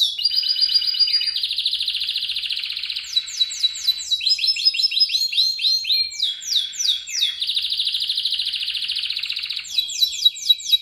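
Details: Rolling canary song for training other birds: dense high trills alternating with bursts of quick repeated slurred notes, continuous and loud with no pauses and a quiet background.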